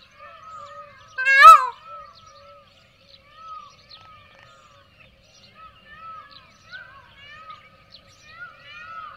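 A peacock gives one loud, nasal, wailing cry with a brief upward inflection, followed by softer chattering bird notes throughout.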